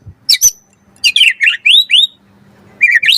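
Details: White-rumped shama, caged, used as a singing tutor for other birds, giving a few sharp chips then a run of curving high whistles and slurred notes.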